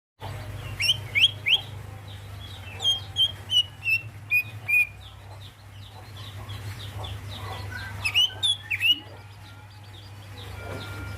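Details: Female greater green leafbird calling the male: sharp, bright whistled notes repeated in a quick run, then a second burst of high slurred notes near the end, over a steady low hum and scattered faint chirps.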